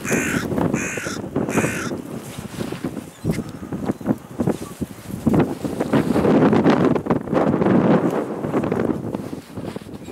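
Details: Several harsh, grating caws from a carrion crow in quick succession at a clifftop site where around 60-80 crows gather and fly over to greet a person feeding them, followed by steady wind and rustling.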